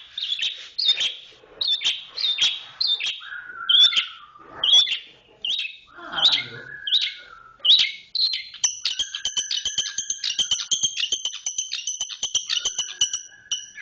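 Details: Cendet (Long-tailed shrike) in 'roll speed rapat' song: jumbled chirps and slurred whistles give way to a long, fast, buzzing trill of tightly packed high notes.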